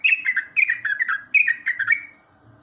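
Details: Yellow-vented bulbul singing in the morning, recorded naturally as a training model for caged birds: chattering whistled phrases that dip in pitch, given in three quick bursts.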